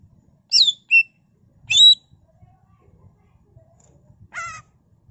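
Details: Cucak ijo, the greater green leafbird, in a gacor ngentrok 'full isian' song for use as a pancingan: a few loud, clipped whistles, then a pause and a nasal, buzzy rattling note near the end.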